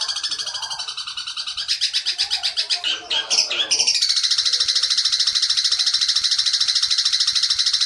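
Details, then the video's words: Long-tailed shrike 'petir' song meant for tutoring captive young spotted shrikes: harsh, buzzy chattering notes, a burst of varied squeaky, twittering phrases in the middle, then a loud, even rattle of rapid repeated notes. "masteran cendet petir (berjeda 1-2menit sangat efektif untuk burung cendet trotol)"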